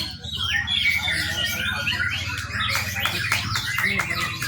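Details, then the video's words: Young White-rumped shama singing as a training lure: twisting whistled notes and fast chattering trills tumble together, with a steady low hum in the background. "murai batu muda. cakep buat pancingan"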